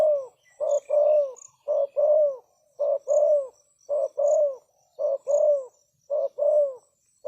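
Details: Spotted dove calling as a decoy to lure wild doves gives a rapid series of paired coos, a short note then a longer falling one, roughly every second. A high, pulsing insect chirp sounds throughout.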